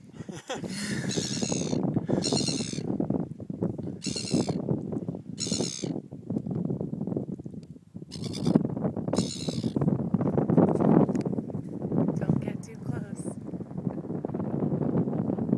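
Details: Seagulls in New Zealand screaming like babies: harsh, nasal, harmonic cries in short bursts of about half a second, repeated roughly every one to two seconds, over a constant low rumbling noise.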